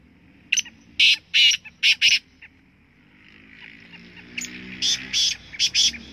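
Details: Black francolin calling from a rock top: loud, rasping notes repeated rapidly in a stuttering series, a short gap, then a second quieter run of clipped notes over low hum.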